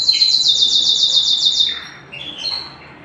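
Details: Canary at home opens with a fast, even rolling trill of rapidly pulsed high notes, then shifts to softer falling and rising chirps.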